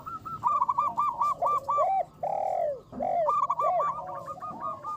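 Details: Big-voiced local zebra dove lure bird: rattling sequences of short coos frame two long, smooth descending coos in the middle, then the quick staccato run resumes.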